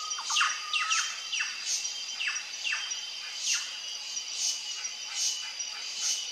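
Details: Plush-crested jay (Cyanocorax chrysops) calling on a trail gives quick, downward-sliding whistled notes, several per second at first, then more spaced, with harsher bursts between them.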